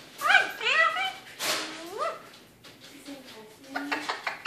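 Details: Eclectus parrot in the evening, talking in a run of short speech-like syllables with rising and falling tones, some whiny, then softer murmurs and clicks.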